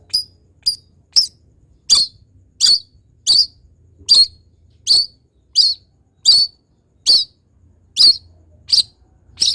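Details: Long-tailed shrike tutor song for teaching other birds to sing: a single sharp high chip repeated steadily, roughly every two-thirds of a second, against near silence.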